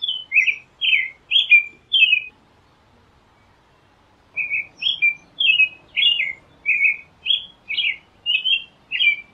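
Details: American robin song of caroled whistled phrases: four quick notes, a two-second silence, then a long steady run of about ten slurred up-and-down notes at an even pace in a quiet setting.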